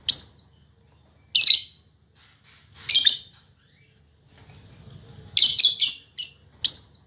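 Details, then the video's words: Spirited fighter-type female lovebird used as a model song for home birds; sharp, shrill screeching bursts, then a run of faint ticking notes leading into a rapid series of harsh chirps. "Suara Burung Lovebird Betina Fighter"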